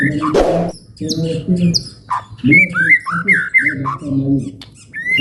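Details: Ngalun-style long song of a male white-rumped shama for stirring other birds, with separated whistled phrases sweeping up and down, a brief harsh burst early, and low cooing sounds between phrases.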